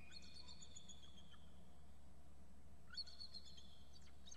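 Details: Eagles at the nest calling excitedly, both adults present and a juvenile nearby: a thin high whistled phrase, a pause, then a second burst of sharp chittering notes over faint low hum.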